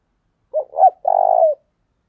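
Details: Calling coo of a decoy spotted dove in the thổ đồng style: two quick hooting notes lead into a sustained, throbbing, purred note about half a second long, clean against silence.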